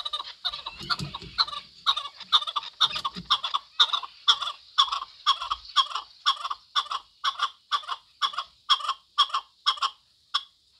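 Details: Chukar partridge giving a steady series of harsh clucking notes, about two per second, each note layered and grating, continuing unbroken for ten seconds; a few low thuds early on.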